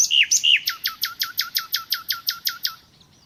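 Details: A few looping whistles give way to a rhythmic nightingale series of about a dozen identical sharp, downward-sweeping notes, roughly four a second, then silence.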